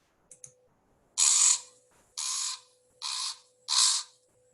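A Common Raven gives four harsh, raspy croaks about a second apart. The croaks sound thin and tinny, as if played through a small speaker, over a faint steady hum.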